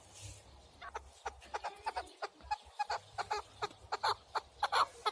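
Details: Partridge calls in a rhythmic series of hoarse, clucking notes, starting quietly and growing louder and more regular, with a faint low background hum.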